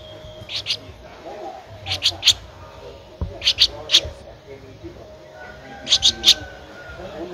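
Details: Thirteen-day-old Streak-eared Bulbul nestling, Ubon Ratchathani, Thailand, April 2023, giving high thin chips in clusters of two or three, spaced roughly every one and a half seconds, with a faint low hum behind.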